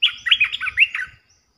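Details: Loud, rapid bubbling phrase of bright slurred notes from a resident red-eyed bulbul calling on its territory, ending abruptly.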